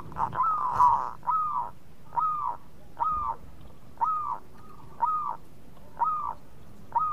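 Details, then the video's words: Local zebra dove, known in Indonesia as perkutut, singing as a lure so rival birds answer quickly: arched, hooked cooing notes repeated about once a second over a quiet background. "PERKUTUT LOKAL GACOR BIANGANYA PANCINGAN LAWAN CEPAT NYAUT"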